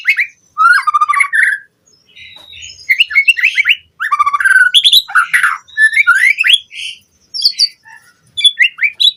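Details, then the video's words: White-rumped shama, a lure recording for training captive birds, sings rich varied phrases: rapid runs of whistled and buzzy notes, sweeping slurs and trills in quick bursts with short gaps, over a clean, quiet background. "Pancingan Murai Batu Cepat BONGKAR ISIAN Buat Masteran Suara Burung Murai Agar Gacor Full Isian"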